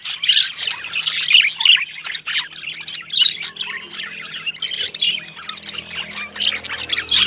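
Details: A pair of budgerigars, a yellow male and a blue female, pairing up and searching for a nest a month after leaving the nest themselves, giving continuous fast warbling chatter with scratchy squawks and bright chirps.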